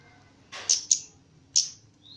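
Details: Javan myna kept in captivity and trained to sing actively (gacor): a soft rushing note, then two quick piercing high chips and a third after a pause, ending in a thin rising whistle.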